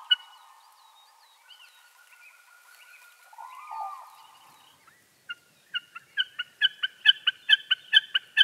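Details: Common Snipe (Gallinago gallinago) giving a rapid run of clipped, nasal notes, about four a second, after a softer passage of mixed whistles and chatter from other birds.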